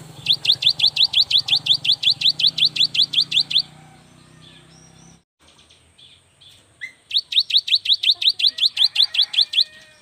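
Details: Cinereous tit, a young bird singing energetically, used to prompt reluctant birds to sing: a fast series of sharp, clear repeated notes, about three per second, in two long bursts with a quiet gap between them.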